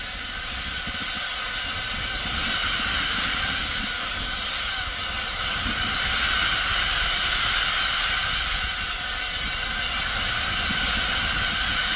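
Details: A steady engine-like rumble and broadband roar fill the whole stretch, with no clear animal calls standing out.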